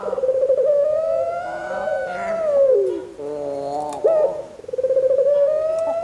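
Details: Barbary dove of breeding stock, vocal and active, cooing in long drawn-out low tones that swell and slowly fall, broken by a brief quavering note before the coo resumes on a level pitch.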